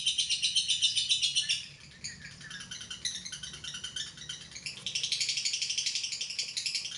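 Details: Lovebird ngekek, a long high chattering trill of rapid pulses that softens and thins in the middle, then swells back into a loud, even rattle toward the end.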